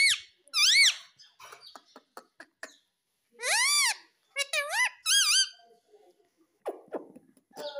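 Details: Pet ringneck parrot letting out loud arched screeching squawks in short clusters, one at the start and a run of three mid-way, separated by quiet clicks, soft squeaks and rustling.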